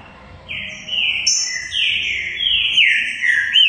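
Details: Singing green-winged saltator, delivering a rich, loud phrase of overlapping whistled notes that each slide downward, linked into one flowing run of about three seconds.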